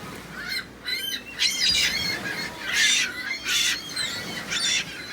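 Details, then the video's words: Many seagulls together, loud harsh squawking calls in overlapping bursts, each call broad and nasal with clear stacked tones, over a low steady rumble. "Seagulls, Seagulls everywhere!!!"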